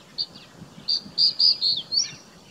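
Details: Crested bunting song recorded in the Aravali hills, Rajasthan, India: an opening note, then four strong sustained high notes and a rising, trilled ending, with soft low-pitched background noise throughout.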